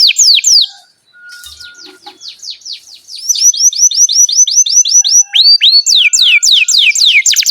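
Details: Canary song played to teach young canaries and those that stopped singing: brief whistles, a quiet gap with soft chirps, then a steady rapid trill of swept notes building into loud, sharply descending whistles.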